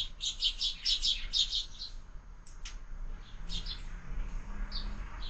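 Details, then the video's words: Breakfast at a window-mounted feeder with sparrows feeding year-round. A rapid run of sharp high chirps for about two seconds, followed by sparser, softer chirps over low background rumble. "Воробьи в кормушке - Завтрак стартовал"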